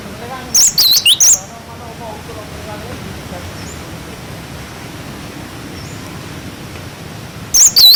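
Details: Cinereous tit in wucit wucit style, tutor song for young birds: a short burst of three high whistled notes, a long quiet gap with faint hiss, then another brief whistled fragment at the close.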